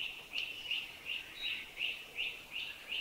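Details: Streaked Wren-Babbler in Thailand giving its chuchi chuchi call: a quiet, steady series of short high chirps, about three per second, over faint background hiss.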